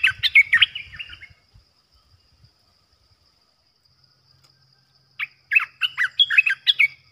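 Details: Decoy olive-winged bulbul in a cage sings loud gurgling, jumbled notes, then goes quiet for several seconds before bursting into another quick series of bright, throaty, up-and-down chirps. Low rumble underneath.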